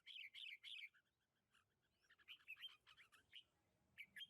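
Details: A lychee orchard on 21 March 2020 holds busy red-whiskered bulbul song. Three rapid chattering bursts open the passage, followed by scattered sharp chirps and a short rising whistle, over soft background noise.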